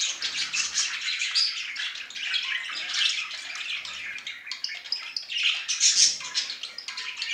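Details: Warbling male budgerigar showing fondness, giving a rapid, scratchy, gurgling chatter with interspersed high squeaks and short whistles, pulsing in loudness throughout.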